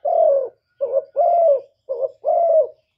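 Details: Cooing decoy spotted dove from Cà Mau, Vietnam, used to lure wild birds: three long, gently falling coos alternating with two short clipped notes, deep and smooth.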